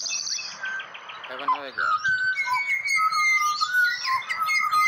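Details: Pied butcherbird in Australia singing to a person who coaxes it to sing for a prize: a woman's voice first, then a run of clear, flute-like whistled notes, some held and some gliding, with high chirps from other birds overhead.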